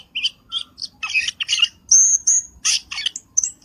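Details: Trapping lure call of the Black-winged starling: irregular harsh squawks and chirps about three a second, broken by a long thin high whistle near the middle.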